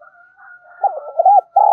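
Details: Cooing of a spotted dove used as a lure for wild birds: wavering arched notes rising and falling over a faint steady tone, ending in a sustained burry coo.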